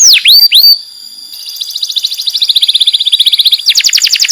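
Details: Canary described as a master singer calling friends and fighting: a few loud swooping whistles, a pause, then a quickening high trill rising in volume and ending in fast downward-slurred notes.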